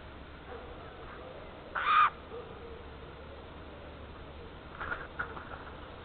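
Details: A jay heard on an Estonian black stork nest cam at 9:18 in the morning on 30 March 2014 gives its morning "song": one loud, rasping screech, then softer scratchy notes a few seconds later, over steady background hiss.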